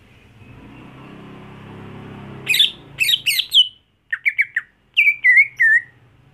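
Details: After a soft noisy lead-in, a greater green leafbird gives loud rising notes, then a quick group of short downslurred chirps and a final run of wavering whistles, all high and clear.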